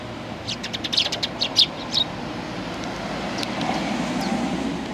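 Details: Sparrows arriving to be fed at a Tenmangu shrine, 1 October 2020; a quick cluster of short, sharp chirps, then a few scattered ones, over steady traffic noise.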